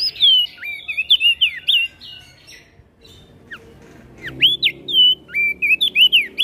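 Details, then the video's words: Javan grey-throated white-eye singing ngeplong while answering other birds. Two bursts of clear, rapid, hooked whistles, the first tumbling downward, separated by a quieter pause with a single sharp note. "Opior Jambul gacor Ngeplong Saling Bersahutan Dengan Burung Lain"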